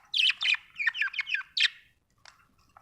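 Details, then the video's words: Budgie chirping in a quick series of about six warbled, slightly buzzy notes over one and a half seconds, then two faint chirps after a short pause. "Australian beautiful birds sound 😍 budgie chirping sound 🥰"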